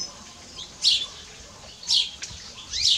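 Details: Chirping house sparrow giving three harsh, slightly buzzy chirps about one second apart, each a quick downward-slurred note, with little other sound around.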